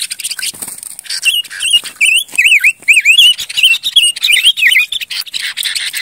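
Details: A silver-eared mesia sings continuous, lilting phrases of slurred whistles that swoop down and up in quick succession, nearly three notes a second, over a faint hiss of other small calls.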